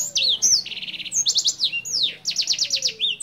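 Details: A Senger bird in full, clear-voiced song, kept as a tutor recording for other birds, sings a loud, fast, varied song of high, sweeping whistles and quick chattering trills that slide up and down, with no other sounds.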